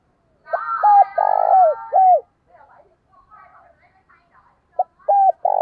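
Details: Decoy spotted dove giving its ringing morning lure call. One full phrase of short and long buzzy coos ending in a downslurred note, soft chattering, then the next phrase starting.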